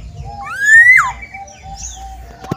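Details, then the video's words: Black-naped oriole calling briskly outside its cage: one loud nasal note that climbs steadily, then drops sharply, followed by faint chips and twitters from other small birds. "kepodang gacor diluar sangkar"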